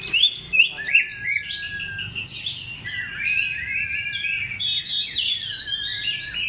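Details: Oriental magpie-robin lure song opening with a few sharp chips, then long, level whistles and rising slurred notes blended with fast twittering phrases.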